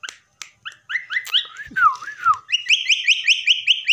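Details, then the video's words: Pet myna whistling: scattered clicks and a slurred, wavering whistle falling and rising, then a rapid run of repeated short upslurred notes at a steady pace. "myna whistling"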